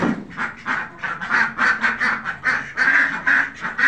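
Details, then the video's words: Khaki Campbell ducks kept on a farm call in short bursts of loud nasal quacks, each lasting roughly a quarter second and following in quick succession. "khaki campbell ducks farming"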